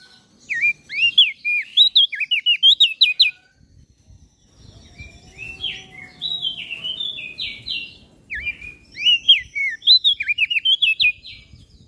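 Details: Masteran recording of common iora and bar-winged prinia song for cage-bird training: bursts of rapid, high, twisting whistles and chips, each lasting a few seconds, separated by a quieter stretch of softer buzzy notes and faint low rumbling.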